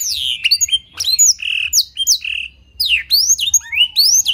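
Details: Training song of a canary filled with blackthroat phrases: separate bursts of steep down-slurred whistles and short held notes, with gaps between phrases and a thin steady tone near the end.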